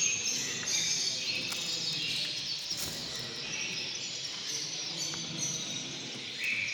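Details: A European goldfinch, recorded at a 2019 song-judging competition, sings a dense, unbroken stream of bright, tinkling twitters and buzzy trills, high-pitched and rapid, over a steady background hiss.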